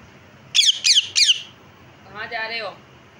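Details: A caged parrot's three rapid, piercing squawks, then a lower, buzzy, drawn-out warbling note about a second later.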